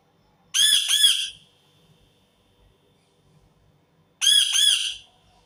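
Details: Indian ringneck parakeet screaming: two harsh, rasping squawks, each about a second long, separated by a few seconds of near silence indoors.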